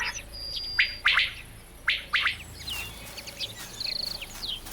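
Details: A courting male common quail in Germany calls to attract a hen while a lynx stalks nearby, giving sharp, liquid bursts of clipped notes in quick groups, with thin high whistles and chirps from other birds behind.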